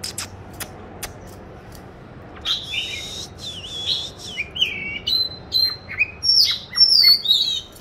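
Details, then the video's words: Caged oriental magpie-robin, raised since 29 July 2020 and recorded 22 March 2021, hung in a chosen spot for song practice. A quiet opening with scattered clicks, then clear high whistled phrases, slurred and rising, grow louder toward the end. "Tổng hợp các clip về con than chuyền nuôi 29-7-2020(clip quay 22-3-2021) treo chỗ lý tưởng luyện hót"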